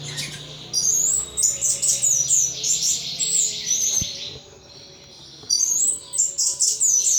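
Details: Pet anis thrush singing ngeplong in its cage: a long, fast run of high whistled and twittering notes, a short quiet gap, then the lively song resumes, over a low hum.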